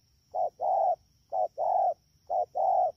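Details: Spotted dove caught from the wild, recorded at Dak To on 3/10/2019: three even coo couplets, a quick note followed by a sustained coo, roughly one per second, over a soft constant high hum.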